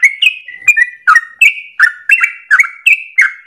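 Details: Trucukan, or Yellow-vented Bulbul, delivering a long rapid song meant as a lure for training songbirds; lively bubbly whistles in quick succession, each note dipping then levelling, with no other sounds.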